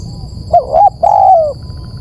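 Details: Spotted dove coo used as a lure: two short bent notes then a long, slightly wavering falling coo, a single phrase above constant low noise.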